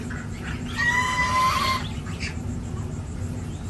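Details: Domestic goose gosling, six days old, on a village farm in India: one drawn-out, clear, tonal call of about a second, followed by a short fainter note, over low steady background hum.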